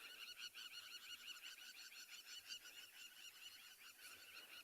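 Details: At sunset on a 20 June 2020 safari, crowned lapwings nesting in open ground give a dense, continuous alarm chatter of sharp, high, excited notes from several birds at once as a lioness stalks nearby, with faint low rumbling underneath.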